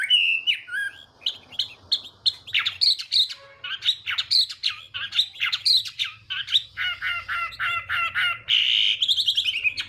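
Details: Chinese hwamei giving a morning fighting song for voice training and provoking singing: loud, varied whistled phrases with repeated slurred notes and a few harsh squawky notes, a faint low hum underneath.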